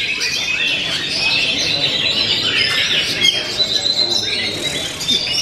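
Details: Oriental magpie-robin (kacer) singing: dense, continuous high chattering and whistled phrases with rapid twittering notes, busy throughout, with faint voices in the background.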